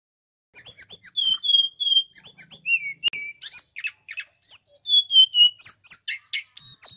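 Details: Male Sunda robin singing loudly as a tutor recording for magpie-robins: rapid varied phrases of high chirps and buzzy notes, clear falling whistles, steady twittering at about four notes a second.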